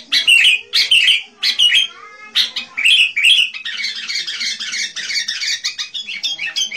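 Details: Sooty-headed bulbul singing energetically as a lure for wild birds: loud clipped chirps at first, then a continuous busy warble of fast mixed notes.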